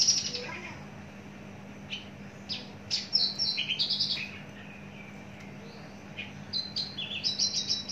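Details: Mature captive Javan bush lark singing short bursts of buzzy chirps and quick rising and falling whistles, pausing between phrases, with a constant low hum underneath.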